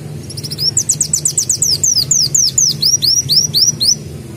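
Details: Canary-mimicking sunbird (kolibri daun) in nonstop mbeset song: a quick series of short high notes that lengthen into repeated arching whistled slurs, roughly three per second, over faint low hum.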